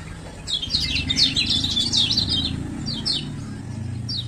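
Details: High, quick chirping series from a male Lemon-bellied White-eye of Lombok, the 'ciak ciak' calls meant to lure quiet birds into song, thinning to a few isolated notes over a low background hum.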